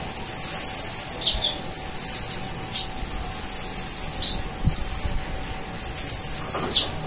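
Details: Energetic konin sunbird in full song imitating cililin and golden grasshopper, five insect-like high buzzing trills of varied length, each separated by brief pauses and sharp downslurred chips.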